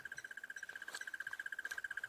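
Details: A crested barbet (Trachyphonus vaillantii), unseen in a tree overhead at sunrise on a safari drive on 24 August, gives its long, even trill of about fourteen high, bell-like pulses per second, like an alarm clock.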